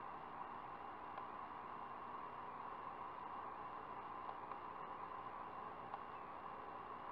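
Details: Steady broadband hiss with a constant hum around the middle range and a few faint clicks, with no animal voice heard.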